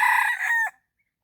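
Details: Red junglefowl crowing in the morning during decoy luring of wild birds: one short, harmonic, strained crow lasting under a second, steady then dipping before cutting off abruptly, with no other sounds.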